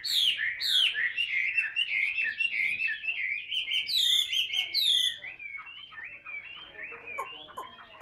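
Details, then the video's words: Vietnamese caged Chinese hwamei, a tail-spreading fighter, in ngũ trường song while carried by hand: loud, rich whistled phrases with high sharp accents, fading into softer twittering and scattered short notes. "HM 203 ngũ trường siêu mẫu đấu xòe cầm tay hót"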